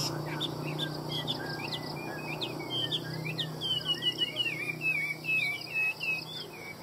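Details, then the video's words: Chinese hwamei delivering loud, fluid whistled phrases that grow into fast rolling warbles and repeated liquid trills toward the end, set against a soft low hum. "Hoa mi hót giọng hay"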